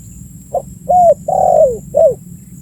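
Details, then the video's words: A single spotted dove phrase, recorded as a lure to attract birds: faint first note, arched hoot, extended coo sloping downward, closing short falling coo, all clean above a low steady background hum. "suara burung tekukur full memanggil cocok untuk pancingan"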